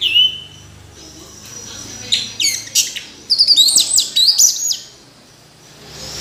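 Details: Orange-headed thrush giving a short whistle, then a rapid series of high, crisp twittering notes before falling quiet.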